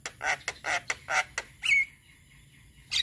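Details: Male Javan myna singing, a recording meant to prompt other mynas to learn sounds: a run of harsh, broadband squawking notes about every quarter second, then a clear level whistle and a final rasping note.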